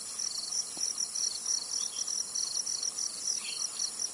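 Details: Zitting cisticola from Tainan, Taiwan: a run of thin high notes at a quick regular rate, partly masked by a continuous insect drone.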